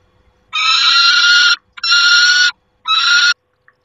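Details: Peregrine falcon at the nest, 28 August 2021: three loud, harsh, buzzy screams, the first about a second long and the next two shorter, separated by brief pauses in an otherwise quiet background.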